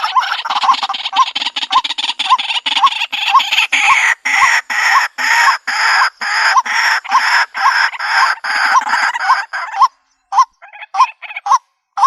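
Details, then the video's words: White-breasted waterhen call played to lure birds into a trap in the country: a long, dense run of harsh croaking notes about twice a second, ending in a few scattered, separate calls. "Bird Sounds White breasted Waterhen Bird ( Water Cock Soun)"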